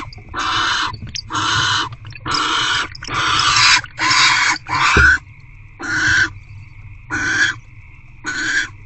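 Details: Barn owl hatchlings begging as their mother feeds them inside a nest box on a February night: loud, harsh, rasping hisses, each lasting about half a second, repeated roughly once a second with brief gaps.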